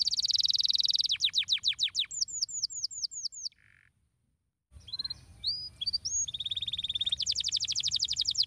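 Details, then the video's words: Canary stimulating song, aimed at getting other canaries to sing: a buzzy fast trill, then falling sweeps and a string of downslurred whistles, a short low buzz and a silent pause, followed by rising whistles and a renewed rapid trill. "bom canário! sua voz faz com que os canários silenciem imediatamente, cantando"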